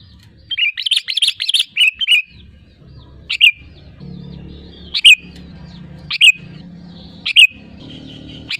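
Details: Sooty-headed bulbul song meant to lure other birds into singing; a quick chattering burst of whistled notes, then short clear phrases repeated about every second and a half over a faint low hum.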